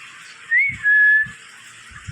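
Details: A pet parrot, prompted by its owner to speak, gives two clear whistled notes: a short rising one, then a longer, level, steady tone. Faint low thumps sound beneath.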